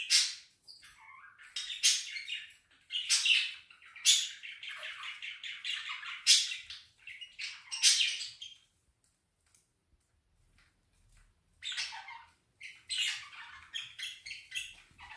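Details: Budgerigars calling as a flock in the afternoon: dense bursts of harsh, chattering squawks and chirps overlapping for about eight seconds, a short quiet gap, then renewed chatter, all high-pitched and irregular.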